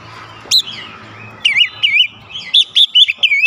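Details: Oriental magpie-robin (kacer) song used as therapy to get a bird singing quickly, with varied 'isian' fill phrases: a short high note, a pause, then a run of bright, looping whistled notes in quick bursts.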